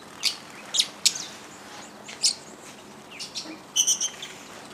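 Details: A flock of Fischer's lovebirds, including hybrids with yellow-collared lovebirds, feeding at a lodge feeder at Lake Elementaita, Kenya, giving shrill piercing shrieks spaced irregularly, ending in a rapid burst of squeaky chatter.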